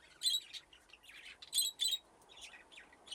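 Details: Budgies playing in an aviary with nesting boxes, flock grown from two pairs; busy high chattering warble of quick chirps and squeaky notes, loud bursts every half second or so from several birds at once.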